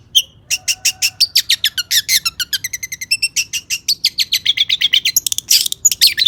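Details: Lively long-tailed shrike song with mimicked notes, played to push shrikes into singing: a fast, steady train of crisp high chips, ending in rougher, buzzier bursts.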